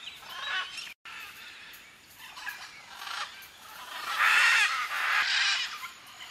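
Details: Several macaws at a nesting site in dead buriti palms by a dam in Acreúna, Brazil, give harsh, raspy squawks in uneven bursts over a steady hiss, the loudest pair coming close together near the end.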